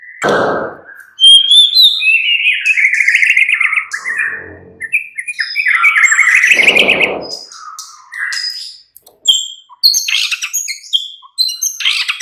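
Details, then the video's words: White-rumped shama morning song used to lure other shamas into singing; a long, varied stream of warbled and whistled phrases with high thin notes, and two low, harsh bursts near the start and middle. "Pancingan murai batu PAGI DHUHA Agar NYAUT GACOR dan Ngeplong"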